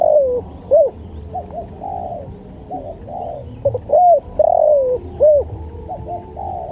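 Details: Spotted dove song from a training recording: repeated soft, throaty coo phrases made of short rounded notes and longer falling coos, about every second or two, over steady low hum and faint distant chirps.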